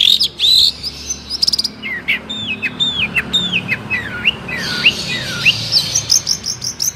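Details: Long-tailed shrike tutor song, lively and full of varied phrases, used to draw replies from other shrikes: high clicks open, then a run of down-slurred whistles and rising sweeps, growing busier and shriller toward the end.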